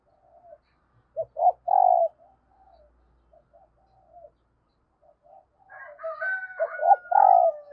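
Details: Calling female dove stimulating males, soft scattered coos then a loud coo sequence, later overlapped by other higher, buzzy bird calls and a drawn-out falling note near the end.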